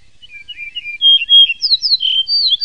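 A Yellow-breasted bunting gives a short, bright song phrase: soft twittering notes that swell into loud, clear whistles climbing higher toward the end. No other sounds intrude.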